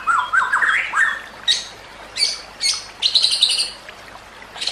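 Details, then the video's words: White-rumped shama song recorded for training other shamas: wavering whistles rising in pitch, followed by spaced, harsh, broad chattering bursts with high notes. "Kicauan Murai Batu yang Menggoda Telinga"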